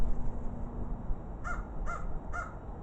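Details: Exploring crows, a pair: three clipped, harsh calls spaced about half a second apart near the end, following a stretch of low rumbling noise.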